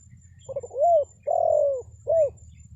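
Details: Spotted dove call used to lure wild birds: two soft quick notes, then a rounded rising-falling coo, a long drawn coo and a short final coo, over a low steady hum.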